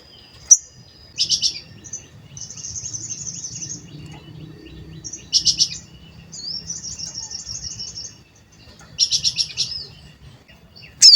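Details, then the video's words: A sooty-headed bulbul repeats short bursts of buzzy, stuttered chirps, each followed by a thin, sustained, trilled note, as a lure to trigger singing. Faint background hiss throughout. "Pancingan Sogon Agar Bunyi dan Emosi, Sogon Bahan Auto Nyaut"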